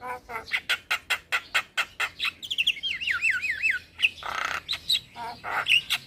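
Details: Young male black-winged myna singing, used for tutoring and calming stressed mynas: rapid series of harsh clicks and chatters, then a looping wavering whistle, followed by broadband rasps and more clicks.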